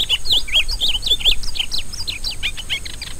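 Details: Rusty-collared seedeater pouring out continuous, lively chirping, several crisp notes each second with rising and falling whistles, against a faint constant hiss.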